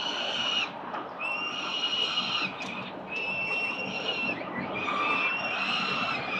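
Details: Four Peregrine Falcon chicks fed in the morning at a building nest in Victoria, 4 November 2021, filmed by CCTV. Repeated long, piercing harmonic wails, about four, each over a second long.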